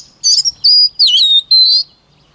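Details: White-rumped shama song for voice training: four loud, high whistled phrases in quick succession, one buzzy and sputtering, then a level clear note, a dipping slur and a final rising whistle.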